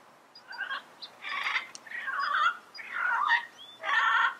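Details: Yellow-headed parrot in the wild giving a run of harsh, nasal, harmonic calls, four or five short squawky bursts spread over a few seconds with brief gaps, over a quiet background hiss.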